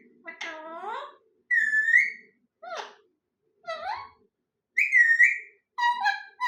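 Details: Parrot calling in a small room with a series of loud whistles: sweeping downward slurs, level ringing tones and a final double note, spaced by short pauses.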